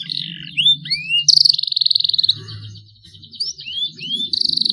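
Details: Young canary learning to sing and starting to produce long rolls: high sweeping upslurred chirps, then a fast buzzy pulsed trill held for about a second, more rising chirps and another trill, over a low background hum.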